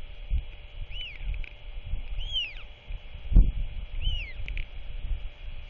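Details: Royal albatross chick, visited and fed by its father at day's end, 27 March 2024, makes three quiet arched squeaks at roughly one-second gaps; soft wind noise and a single thump.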